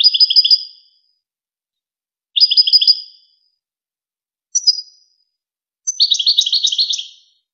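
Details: European goldfinch singing on a training tape for young goldfinches and hybrids: three short bubbly trilled phrases with pauses, then a longer jangling twitter. The background stays silent.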